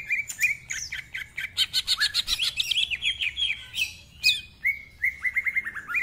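Greater green leafbird in fast, continuous song: varied chirps, sweet whistles and rapid trills, several phrases each second with little pause.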